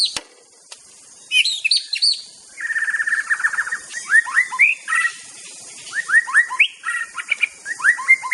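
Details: Aceh white-rumped shama in master song, mixing a buzzy rattling trill with clusters of quick whistled notes sliding downward, delivered in rapid phrases.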